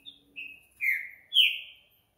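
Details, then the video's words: Green-winged saltator singing after dark: a steady whistled series of three drawn-out notes, each louder than the last, sliding slightly downward, the final one brightest and highest, ending in silence. "Trinca ferro Noturno"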